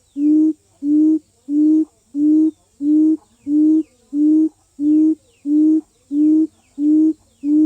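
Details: Low, booming hoots from a decoy quail, repeated in a steady metronome-like series of about eleven notes in under eight seconds, each one even and flat, in quiet surroundings.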